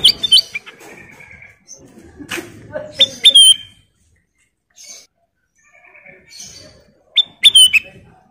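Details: Sooty-headed bulbul, a female, sings several short whistled phrases ending in slurred notes, spread across the recording with quiet pauses and faint background sounds between.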